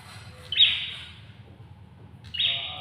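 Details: Ashy tailorbird (prenjak kepala merah) utters a strident buzzy note, then after a pause of almost two seconds another, both high and abrupt, with a low hum underneath.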